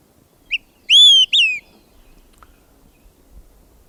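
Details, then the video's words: An Olive-sided Flycatcher sings three loud, clear whistles, a short pip, a higher held note, then a slurred falling note, the 'quick three beers' song, not strung together but followed by a pause and quiet. "So that's the olivesided fly catcher song. Really quite beautiful."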